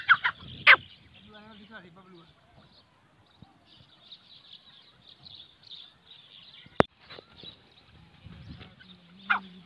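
A francolin gives loud, harsh, ringing call bursts at the start and again near the end, with softer chirps between, a steady high hiss and one sharp click.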